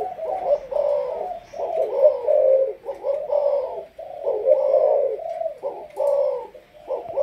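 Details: Caged Malaysian spotted dove intended as a decoy, uttering hoarse, rhythmic coo phrases, several notes each, with pauses of about a second between groups.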